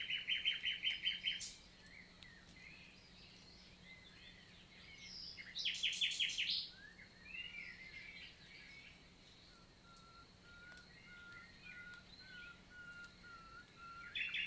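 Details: Common nightingale in daytime song, countryside forest of the Lot, France, summer 2023; loud fast-pulsed rattling phrases, a thin series of soft repeated low whistles, and a quieter background of other birds.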